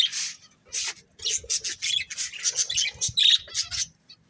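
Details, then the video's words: Budgerigar breeding pair giving a rapid series of harsh, scratchy squawks and chirps, each short and loud, about three per second, ending abruptly. "Cute Budgies Chirping Sounds"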